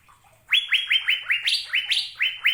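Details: Following a short quiet moment, an Asian fairy-bluebird launches a rapid string of about ten bright rising whistles, evenly spaced, some reaching higher pitch.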